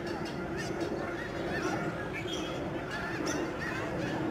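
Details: Huge flocks of lesser snow geese flying and swirling down to the wetlands of George C. Reifel Migratory Bird Sanctuary, Delta, BC, their wintering ground, on March 24, 2011: a dense chorus of many overlapping nasal, yelping honks with no pause.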